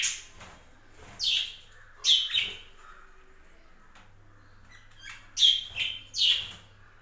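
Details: Budgerigars kept in a breeding aviary chirp in short, irregular bursts, some notes doubled, with quiet pauses and a steady low electrical hum beneath.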